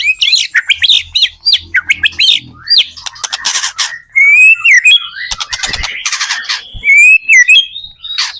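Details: Singing white-rumped shama, played to prompt other shamas to answer: harsh scratchy bursts and squeaky notes mix with clear rising whistles and rapid high ticking phrases, varied and restless.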